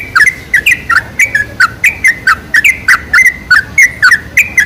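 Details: Sooty-headed bulbul used as a lure to call in bulbuls: crisp, short, rising-and-falling chirped notes given in quick succession, about four per second.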